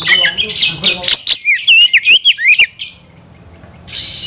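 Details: Oriental magpie-robin, agitated and looking for a fight, delivering a fast run of sharp chirps, then a string of bright slurred whistles and a brief quiet gap before a harsh, hissy burst.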